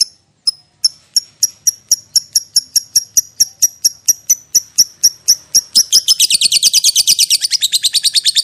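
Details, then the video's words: Lovebird chatter played to provoke other lovebirds into a long 'ngekek panjang' reply. Evenly spaced high chips quicken steadily, then merge into a rapid, grating trill that continues for the last few seconds. "PANCINGAN LOVE BIRD PALING GACOR - Bikin semua jenis love bird langsung emosi nyaut NGEKEK PANJANG"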